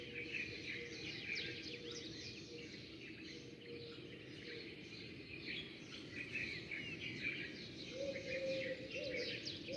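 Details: Sparrows chirping together at first light, many birds arriving and leaving; continuous busy high-pitched twittering throughout, with a faint low hum and a brief low tone late on.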